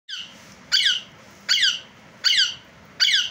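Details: Pet Indian ringneck parakeet, kept indoors, giving harsh, loud squawks repeated about every three-quarters of a second, each a buzzy, downward-sliding burst; faint room noise underneath.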